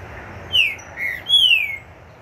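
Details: Loud, close green-winged saltator after moulting: three rich whistles, a falling slur, a short lower note, then a long descending whistle, all within about a second.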